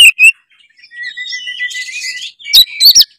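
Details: Oriental magpie-robin in gacor lure song for stirring other birds: a long, quiet, drawn-out whistle with soft buzzy overtones, framed by short, very loud sharp notes.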